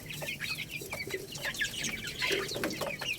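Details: Young Lohmann Brown chicks, a growing little rooster and a baby hen, eating rice; rapid overlapping high peeps, many slurring downward, mixed with a few lower clucking notes, continuing throughout.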